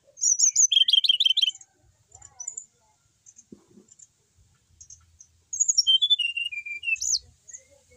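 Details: Brown-chested jungle flycatcher kept in a cage and singing non-stop, opening with a fast stuttering trill of paired high notes, then quiet scattered chips, and finally a descending run of clear whistles.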